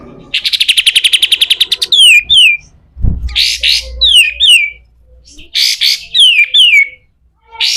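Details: Pied triller (kapas tembak) rough besetan kasar song serving as master audio for training birds: a rapid trill of about fifteen notes, then repeated pairs of falling slurred whistles mixed with harsh buzzes.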